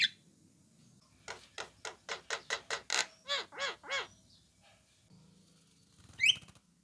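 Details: Lure call of an orange-eyed Javan myna, used to get other mynas to answer. About eleven harsh rasping notes come in a quickening series, ending in arched nasal notes, then quiet and a rising whistled note.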